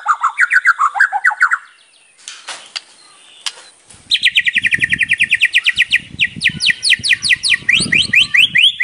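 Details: White-rumped shama singing vigorously, packed with varied fills and used as a lure track: a quick burst of high sliding notes, a harsh rasp, a pause, then a long run of rapid, evenly repeated bright whistled notes over a low background murmur.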